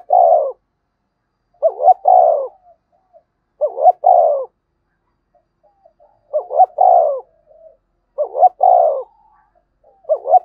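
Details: Spotted dove giving a loud, driving calling song used to lure wild doves: paired short coos followed by a longer rolling coo, phrases repeated every two seconds or so with clean silent gaps.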